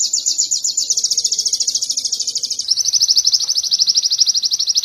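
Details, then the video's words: Canary song material for bird training: a continuous rapid high trill of pulsed notes, which shifts to a slightly lower, denser roll partway through and keeps a steady pace. "Masteran sogon kekinian materi kenari"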